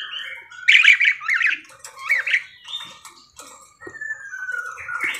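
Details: Parakeet cage bird in full, lively song: loud squeaky warbles and scratchy chatter at the start, then quieter twittering notes and a few thin whistles.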